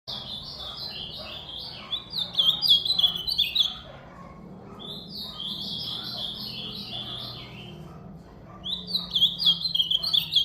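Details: Ultramarine grosbeak singing: a fast, warbled phrase of sliding whistled notes lasting about two seconds, repeated three times with pauses between, over a low steady background hum.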